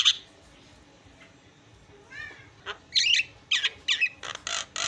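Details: Javan myna in full song, with harsh, scratchy bursts and short whistled notes after a quiet opening and a brief rising trill near the middle.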